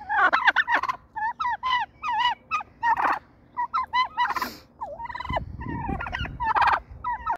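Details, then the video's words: Wild turkey hen, described as mad, giving fast strings of sharp yelps and clucks in quick bursts, followed by a rough lower rumble of background noise and further yelps near the end. "mad turkey hen"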